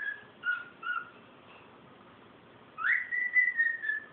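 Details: A male cockatiel sings clear whistled notes, a few short ones, then a long swooping whistle that levels off.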